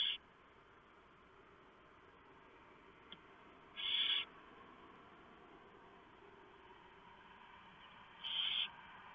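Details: Barn owl nest, 3:59 AM, 3 November 2015, with owlets being fed a big mouse the male delivered. A few scattered, harsh hissing bursts are separated by long quiet gaps, with a faint click between them.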